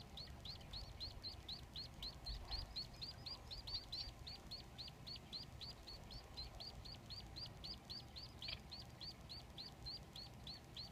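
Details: Three Society finch chicks begging while their father feeds them at the nest: a rapid, steady string of short, high, hooked chirps, about four each second, running without pause through the whole stretch.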